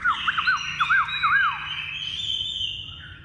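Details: Fully tame Chinese hwamei singing well: a run of quick looping whistled notes that slur up and down, then a long bright sustained high phrase that fades out.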